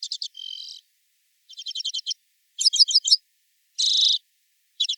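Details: In July in a large Welsh woodland (Padarn Park), after the breeding season, a redpoll's quiet trill: quick bursts of three to five high, dry chattering notes with short buzzy wheezes, about once a second, against silence.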